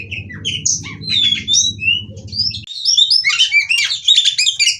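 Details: Female white-rumped shama, kept bird, song used to encourage other shamas to sing: spaced whistled notes over a low droning hum, then a quicker burst of chirps and twittering whistles.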